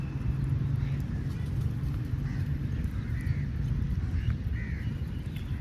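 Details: Crow calling for food: a few faint, harsh caws spaced about a second apart, partly buried under a steady low rumble of traffic-like background noise.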